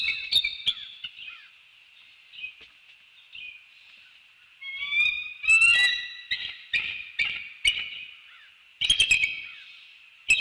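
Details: Wild bald eagle pair at a treetop nest in the early morning, calling as the male arrives, greeting and mating; high thin piping and chattering notes in runs, several loud bursts near the middle and end, nothing else audible.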